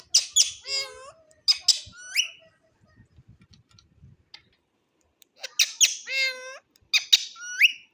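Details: Ring-necked parakeet talking in imitation of foreign speech: two bursts of husky, nasal word-like phrases with falling and rising inflection, separated by a quiet pause with faint low rustling.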